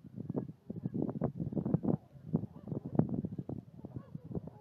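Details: Northern shovelers at Leola Lake, McPherson County, South Dakota, on 16 March 2014 give a dense run of low, hollow, nasal clucks, several birds overlapping in quick, uneven bursts.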